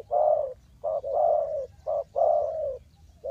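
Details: Close, loud spotted dove coos used to lure wild birds into a trap, Ninh Thuận: a long mellow coo, then short clipped notes and another drawn-out coo, all low-pitched and round.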